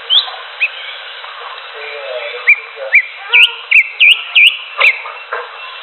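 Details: Greater green leafbird singing in the wild: clear, whistled upslurred notes given singly and then in a quicker irregular series, some with sharp downward flicks, over a steady background hiss.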